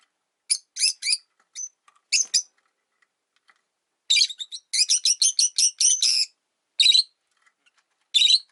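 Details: Three caged rosy-faced lovebirds, one resenting a newly arrived bird, chirp loudly and shrilly, breaking into a rapid burst of a dozen harsh notes midway, then single calls.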